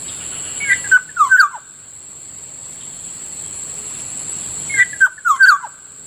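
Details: In the morning near a rice field in Bicol, a black-naped oriole (Kikiyaw) repeats the same short, fluty, down-slurred whistled phrase twice, about four seconds apart, over a steady shrill insect tone.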